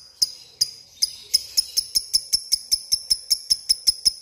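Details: Lovebird calling a rival with the ticking ngetik sound: crisp, metallic, high clicks, at first spaced and hesitant, then quickening to a steady run of about four per second.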